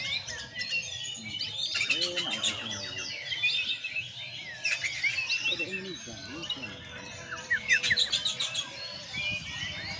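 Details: Sunned, caged white-rumped shama (murai batu) delivers a busy song of quick varied whistles, with harsh rattling bursts recurring about every three seconds and a faint voice in the background.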